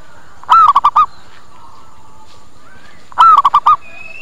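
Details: Local zebra dove lure call to make wild doves come and respond: two phrases about three seconds apart, each a longer coo followed by three quick staccato notes, with faint softer calls between.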